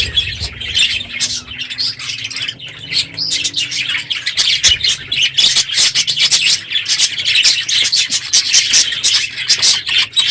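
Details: Many budgerigars in an aviary at the end of the breeding season, loud in the morning; relentless high-pitched chattering and chirps, with a faint low hum underneath.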